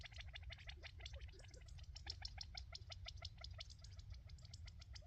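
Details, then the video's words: Quail at Rancho Sierra Vista give a rapid stream of sharp, overlapping chips and chattering notes, several each second, over a steady low rumble of wind or distant traffic. "Sounds of Quail"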